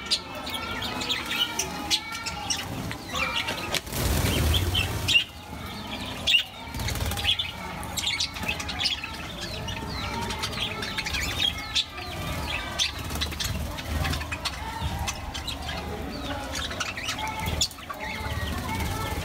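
Budgerigars chatter in a steady stream of warbled, squeaky notes, with bursts of fluttering wings.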